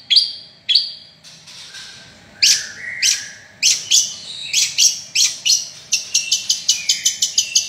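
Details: Long-tailed shrike in full song: a few separate high whistles, then scratchy bursts, and finally a quick, steady string of sharp clipped chirps that speeds up toward the end.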